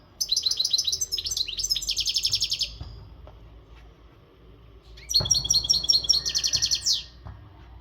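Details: Maghreb European goldfinch, untutored, in energetic breeding-readiness song: two long runs of fast, evenly repeated metallic twittering notes separated by a short pause, the second ending in a downward buzzy slur.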